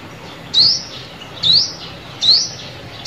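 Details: Trapping lure of a sunbird: crisp, thin, upward-sliding high notes repeated steadily less than a second apart, four in quick succession, over low hiss.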